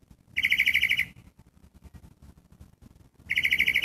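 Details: Gray catbird calling: two harsh, buzzy, rapidly pulsed bursts, each under a second long and about three seconds apart, with a quiet background between them.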